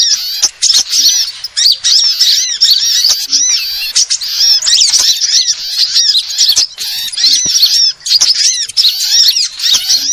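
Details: Sunbird lure sound used to attract birds: dense, continuous high twittering of arched, rapidly repeated chirps, several voices overlapping with only brief gaps.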